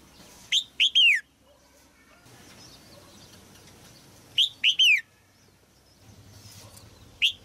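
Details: Female red-whiskered bulbul singing in a cage to stimulate an adult male: short bright downslurred whistled phrases of two to three notes, given in bursts about four seconds apart, with quiet background between.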